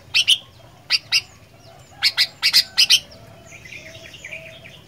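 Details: Sooty-headed bulbul, fighter-style song: crisp, sharp notes, often paired, given in uneven bursts over about three seconds, then a faint, softer warbling tail against quiet background hiss.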